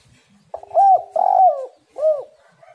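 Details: Spotted dove, called tekukur or derkuku, giving a lure song meant to prompt other doves to call: a soft opening note, a smooth coo, a longer rough, throbbing coo, then one short falling coo.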